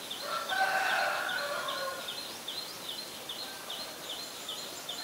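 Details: Black-collared starling in Ubon Ratchathani, Thailand, 17 April 2022, uttering nearly two seconds of rough, harmonic chattering notes, then falling quiet while another caller keeps up rhythmic high chirps about four per second.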